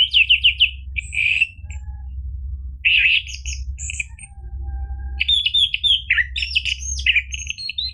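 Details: Orange-headed thrush in gacor ngeplong song, used to get silent caged birds to reply: rapid stuttering chips, then buzzy warbles and long twittering, mimic-like runs with high slurs, over a constant low hum.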